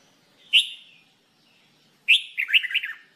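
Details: Jambul bulbul in a singing-training session: a single clear whistled note, then after a second and a half a fuller phrase with a sharp start and a quick run of bubbly descending warbles.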